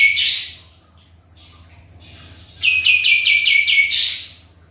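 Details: Sooty-headed bulbul lure recording of energetic song: a rising swept phrase, soft intervening sounds, then a rapid string of repeated chirps closing with another upward sweep.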